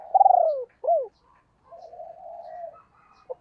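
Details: Decoy female spotted dove calling to stir up wild birds: one loud pulsed coo sliding downward, then a short arched note, followed by a quiet, drawn-out murmuring coo and a brief final note.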